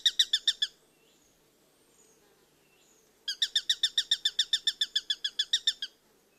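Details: Birds chirping for relaxation: a fast, even series of high bright chirps, about fifteen notes, pauses, then a longer run of similar sharp notes at a steady rapid rhythm; quiet background otherwise.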